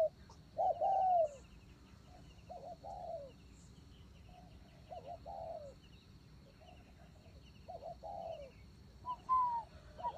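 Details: Decoy spotted dove giving scattered soft coos separated by pauses of a second or more, quieter in the middle stretch and louder at the start and end, over faint background hiss.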